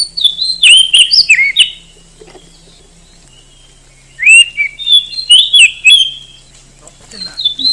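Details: Kacer song in two bursts, each a string of bright rising and falling whistles with crisp high accents, separated by roughly two seconds of quiet. A soft hum sits underneath.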